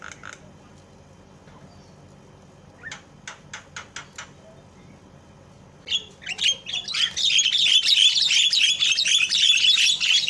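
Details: A Javan myna, used as a lure to provoke other mynas into calling, gives a few sharp, dry clicks, then a loud, continuous, harsh rasping chatter that grows denser over the final seconds.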